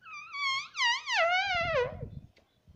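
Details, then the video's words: A pet green parrot, a talking bird said to say "mummy" and "papa", speaks a few word-like syllables in a high, nasal voice that rise and fall over about two seconds, followed by quiet room noise. "मम्मी - पापा बोलने वाला तोता"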